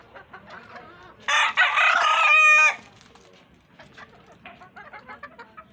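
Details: One loud, harsh crow from a rooster, about one and a half seconds long, rising then trailing off, with soft clucking and murmuring before and after.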